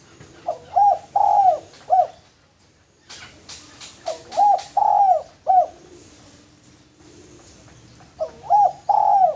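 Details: Male spotted dove serving as a lure, repeating a low, husky cooing phrase of short notes and one drawn-out coo, three phrases separated by pauses, with a burst of sharp clicks in between.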